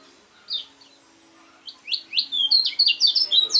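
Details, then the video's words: After a single opening chirp and a pause, a lemon-bellied white-eye, a champion contest bird, builds into a loud, accelerating series of high, sharply falling notes. "kecial kuning BOCIL suara unik super juara"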